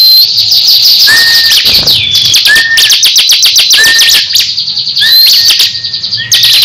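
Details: Pet crescent-chested babbler competing with a second bird: repeated short flat whistles amid bursts of rapid ticking trills and high twittering, loud throughout.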